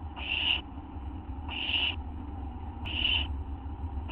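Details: Night recording of owls, 11:04 PM, August 24, 2011: breathy, noisy hisses roughly half a second long, repeated about every 1.3 seconds against a constant low hum.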